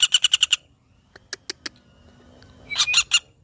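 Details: Short fast rattle of six sharp notes from a common flameback (pelatuk bawang), followed by a few scattered clicks and a final louder, burry burst.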